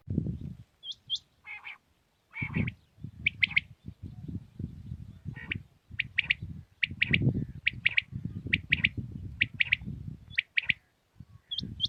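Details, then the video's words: Batair, the common quail, calling in early morning in Pakistan: short bright clipped notes in small groups keep repeating above loud, rumbling low background noise. "Batair Ki naye Awazay| New Common Quail sounds| Batair Ki Awaz | Quail singing early morning in pak"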